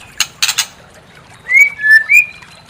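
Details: White-rumped shama (murai batu) used to provoke another bird into singing: a few harsh dry rasping bursts, then three clear whistled notes, the first and last gently rising, the middle one steady and lower.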